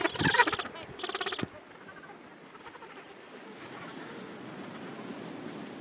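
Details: Two loud, harsh pulsed brays from Gentoo penguins in a crowded late-summer breeding colony, each about half a second long, followed by quieter wind and distant colony murmur.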